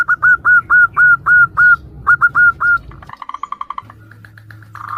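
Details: Zebra dove female calling the male, with other local doves replying, used as a lure: a clear series of evenly spaced falling coos, then a quicker, fainter run of softer notes and a low hum.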